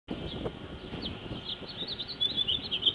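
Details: A bird sings a run of high, thin chirps and trills that grow brighter toward the end, over steady low background rumble, at the Santa Anita horse races.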